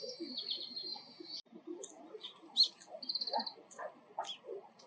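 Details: Oriental greenfinch (Chloris sinica) giving a buzzy, nasal trill, then scattered high twittering notes and a short buzzy rattle, over low background chatter that includes mixed-in brown-eared bulbul calls.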